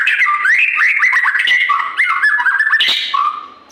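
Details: White-rumped shama singing loudly: a continuous, varied run of clear whistled phrases that slide up and down, with quick rising and falling notes and a sharp higher note near the end.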